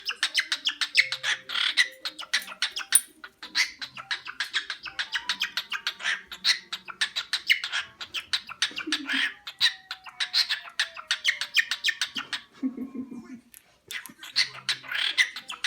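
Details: A male pet cockatiel beatboxes while bobbing his head, making rapid, rhythmic clicks and chirps broken by short sliding whistles.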